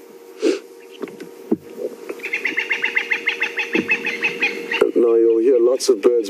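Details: Francolins alarm calling after spotting an African hawk eagle fly off near its nest; a rapid run of harsh, repeated notes at about four per second, with a man talking and another bird's tonal calls at the end.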